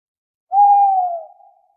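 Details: Owl calling at night: a single smooth hoot, steady then gently falling, about one second long, with a faint higher overtone and no other sounds.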